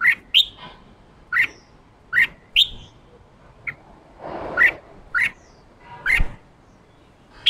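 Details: Wild-caught caged red-whiskered bulbul trained to call ché and sing in contest with a fired-up male: a steady run of crisp, rising chips, often paired, repeated about every second, with one brief soft rushing noise midway.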